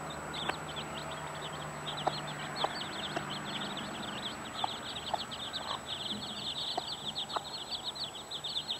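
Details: Mother hen with her 15 chicks, heard mostly as a dense, continuous chorus of shrill, rapid chick peeps overlapping throughout, with sharp tapping clicks every second or so beneath.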